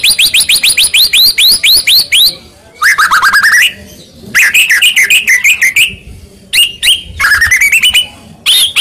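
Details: Medan white-rumped shama singing a fighting lure to provoke a reply: series of quick rising whistled notes repeated several times a second, a falling tumbling run, then more rapid repeated phrases and separated chips.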